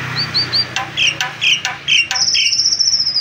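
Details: Nias hill myna singing: short whistled upslurred notes, harsh clicks and chatter, ending in a long high buzzy trill; a faint low hum underneath.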